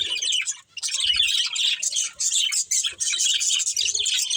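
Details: Excited warbling chatter from a breeding pair of budgerigars, a nearly continuous stream of high chirps, clicks and squeaky notes after one short pause at the start.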